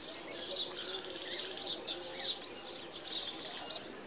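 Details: Asian green bee-eater in India giving short, high, liquid trilled notes, repeated roughly every half second over a soft background hiss.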